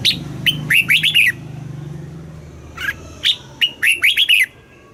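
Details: Red-whiskered bulbul kept caged in Thailand, southern master style song played to excite birds and teach young: two clear phrases of rapid sweet whistles, each a quick series of five notes, low hum in the background.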